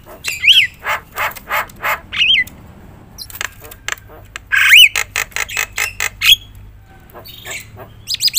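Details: Javan myna (jalak kebo) giving loud song to provoke other mynas: rhythmic harsh squawks in pairs, occasional sharp peaked whistles, and a brief lull before more rasping notes.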